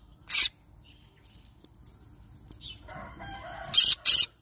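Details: A yellow-sided green-cheeked conure screeches harshly once, goes quiet while soft murmuring noise builds, then gives two rapid grating squawks.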